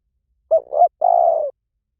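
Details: A spotted dove coos one phrase in the Liu Tan style, used as a lure so trained doves sing back. A short coo slides into a second rising-falling note, then a long steady coo. The background is quiet.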